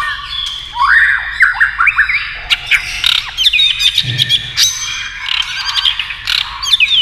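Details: White-rumped shama singing hard in competition against a TV, tail beating: a dense, varied run of swooping whistles, harsh squawky notes and quick trills, with barely a pause.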